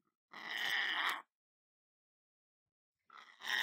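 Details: A pet lorikeet, recorded for entertaining parrots, lets out one loud rasping screech lasting about a second. After a long silence a second harsh screech begins.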